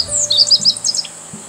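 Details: A meadow bunting at Himawari-no-oka Park, Ono, Kita-Harima, Hyogo, Japan, on a cloudy day with sunflowers in bloom, gives a quick run of high, thin chirps and twittering notes lasting about a second, over a quiet outdoor background.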